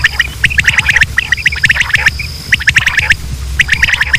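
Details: Quail calls recorded in Pakistan, male and female sounds meant to draw quail for hunting: rapid repeated clipped chirps in quick series with brief pauses, over a thin high whine and low hum.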